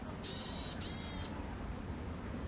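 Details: Eurasian sparrowhawk, a pair seen mating in spring 2021 before the breeding attempt failed; a short sharp high note followed by two drawn-out harsh, buzzy calls, then quiet.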